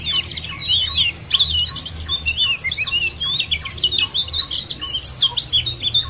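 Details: White-eyes singing in a track used to provoke captive birds into song; relentless rapid high twitters and looping chirps overlap throughout, with faint lower ticks and a low background hum.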